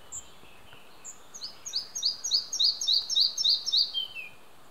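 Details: A male Red-breasted flycatcher sings on 5 June 2015 in Hunneberg Nature Reserve, Västergötland, Sweden, recorded with an Olympus OM-D E-M5 II. A few thin introductory notes build into a rapid run of bright two-part phrases, closing on a drawn-out lower note.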